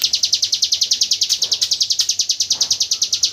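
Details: Hill prinia delivering the 'AK47 gunfire' song used as training audio for white-rumped shamas; an unbroken stream of sharp, high, clipped notes rattles out at roughly eight per second.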